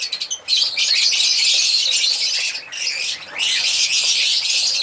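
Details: Chattering African lovebirds, a steady wash of shrill, scratchy high chirps after a few short separate notes at the start, dipping briefly near the middle and then resuming.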